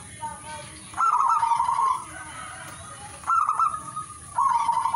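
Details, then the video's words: Zebra dove, known as perkutut, singing three loud rolling coo phrases, each starting with a sharp bubbly onset and trailing off, spaced roughly a second or two apart, over a faint constant hiss. "singing birds of turtledove"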